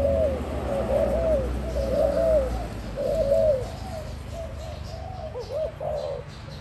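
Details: Spotted dove giving soft, hollow cooing phrases, each a brief group of notes with a slight rise and fall, repeated several times with short pauses, over steady low background hum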